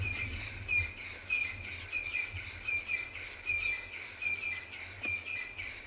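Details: A Crested Francolin calls loudly at sunrise on 10 August in Tswalu Kalahari Reserve, South Africa: harsh, rattling notes about one per second, with a cold wind from an incoming front rumbling behind.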